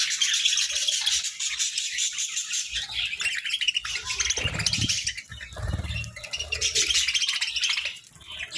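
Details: Budgerigars sunbathing, giving dense, continuous high chirping and warbling chatter from several birds, with low thumps and rustling near the middle.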